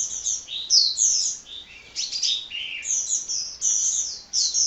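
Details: Hummingbird (kolibri) singing tirelessly in quick, squeaky, high-pitched phrases. Slurred whistles and sharp chips are strung together, with a few short pauses and rising and falling notes.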